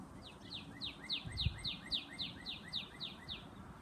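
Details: Female northern cardinal, brown-toned, calling to attract her mate: about a dozen loud, clear downslurred whistles repeated evenly, roughly three per second, each a sharp falling note, with a soft low rumble behind.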